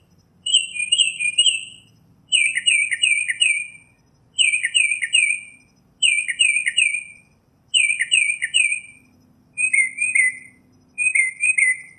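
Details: Northern mockingbird repeating one phrase of quick descending chirps seven times, roughly every one and a half seconds, with the last two phrases shifting slightly in shape; a faint low hum lies underneath.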